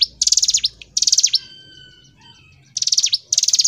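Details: Hill prinia in vigorous gacor ngebren song for bird tutoring: fast, high, buzzy trills in short bursts, a pause with faint thin whistles, then two more rapid trilled bursts.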